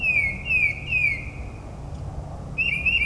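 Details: Northern mockingbird performing a night song in New Jersey suburbs: three descending slurred whistles in a row, a pause, then a wavering trilled phrase starting.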